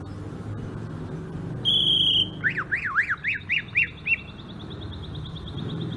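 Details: Greater green leafbird, Sumatran, in rolling ngerol song: a piercing held whistle, then loud zigzag notes rising and falling about four per second, fading into a thin high trill.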